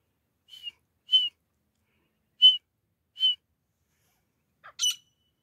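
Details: A pair of grey francolins giving calls used by hunters: four crisp whistled notes at a steady pitch, then a harsher, rasping burst near the end.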